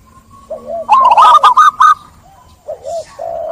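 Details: Zebra dove song played as a lure to get doves stressed by trapping singing again: soft rising coo notes, then a loud burst of five quick arched ringing notes, with quieter coos trailing after.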